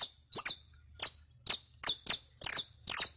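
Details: Saffron finch (canario criollo), a captive songster recorded to teach singing; strong sharp chips sweeping downward, some doubled, repeated at short uneven intervals, ending in longer buzzy notes.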